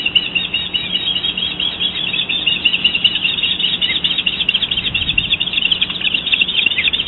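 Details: Bald eagle female at the nest calling to her mate, who has just delivered a fish; dense, continuous high chattering and squealing notes run throughout, bright and rapid, over a low electrical hum.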